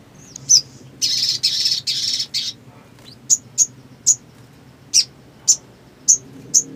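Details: Black sunbird in energetic song: an opening high chip, four loud, buzzy, rattling bursts, then a regular series of sharp, very high chips roughly every half second.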